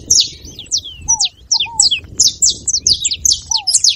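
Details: Saffron finch song, played to stimulate a quiet canary into singing: bright, rapid high chips and downslurred notes in quick irregular bursts, with occasional lower whistled slurs beneath and faint low background rumble.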